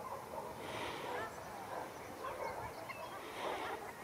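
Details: Harsh goose-like honks from ruddy shelducks in a fight at Arucas, Gran Canaria, 13 February 2021, three hoarse bursts spaced about a second apart over a steady background hum.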